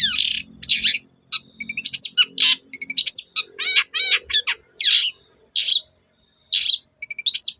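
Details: Long-tailed shrike in lively song, meant to provoke untrained shrikes into singing: a fast, varied medley of high chirps, rising whistles, buzzy notes and rapid trills in short bursts with brief pauses; a faint low hum underneath.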